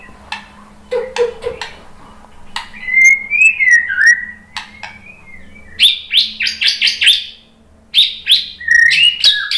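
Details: White-rumped shama song to lure other shamas: scattered clicks, then a run of sliding whistles, followed by rapid repeated sharp sweeping notes in two bursts over faint low hum.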